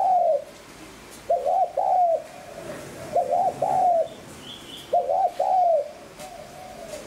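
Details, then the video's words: Spotted dove used to lure wild doves, cooing steadily: three phrases about two seconds apart, each a two-part stutter then a long low coo, with softer echoing coos between and a brief faint chirp. "Tiếng Cu Gáy GIỌNG HẠP BỔI SÁT BỔI"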